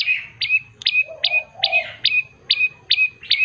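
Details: Common tailorbird, a prenjak lumut, singing actively with a clear voice: sharp, bright chip notes repeated steadily about every 0.4 seconds, each dropping into a short whistled tail, with faint lower murmurs between.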